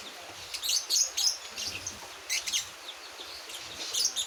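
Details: A month-old Javan white-eye learning its song delivers rapid, uneven high twitters and squeaky chirps, about four notes a second, in short bursts separated by brief pauses.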